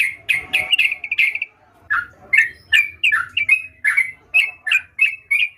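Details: Sooty-headed bulbul in active song: a short run of bright chirps ending in a brief trill, then a regular series of loud downslurred whistled notes about every half second.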